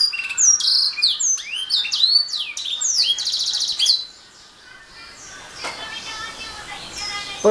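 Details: Atlantic canary delivering rapid varied whistles and a buzzy trill for about four seconds, then falling quiet while faint background sounds remain.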